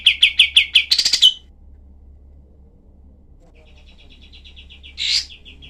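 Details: Cream-vented bulbul with a dense rapid-fire song, made to tutor other songbirds. Five sharp high notes end in a harsh scratchy flourish, then after a pause a soft run of quick chirps is broken by one louder rasping note.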